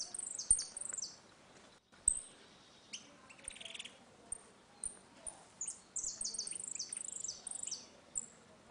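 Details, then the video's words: Saffron finch in a ringing dispute song for teaching young birds: scattered high descending phrases and chips, building to a busy stretch of overlapping ringing notes near the end, with clicking sounds. "Canário da terra - Canto retinido com disputa"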